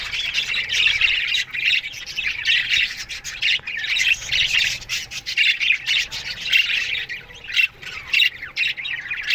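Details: Budgerigar flock in an aviary at morning time, loud harsh squawks and quick chirps crowding one another in a nonstop chorus with sharp peaks.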